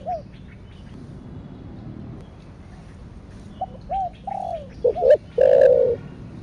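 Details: Thổ đặc thúc, or thổ sấm, cooing of a spotted dove: faint arched notes build to two short hoots and a long, strong, rolling coo near the end.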